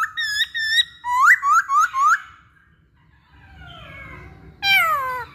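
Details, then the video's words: Masked laughingthrush singing to coax other birds into song. Steady paired whistles lead into four quick rising notes, a pause with soft gliding tones, then a loud sweeping whistle with a falling tail. "Pancingan Poksay Hongkong"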